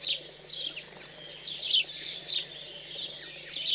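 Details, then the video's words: Fledged house sparrows begging during feeding, recorded 15 June 2020 in chilly rural central France. Insistent high cheeps repeat roughly every half second, some louder than others, over a steady low background hum. "MOINEAUX Domestiques/Nourrissage après l'Envol"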